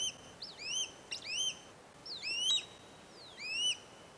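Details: Swallow-tailed kites over wetland forest in Jonathan Dickinson State Park, Florida, April 7, a male bringing a treefrog to a perched female: clear, high whistled calls, each a short upward slur, repeated in quick series with occasional clicks.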